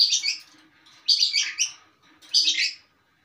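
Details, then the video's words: Settled long-tailed shrike singing a full, material-rich song. Three rasping, buzzy bursts of high chattering notes come about a second apart, each fading quickly. "Pentet Mapan"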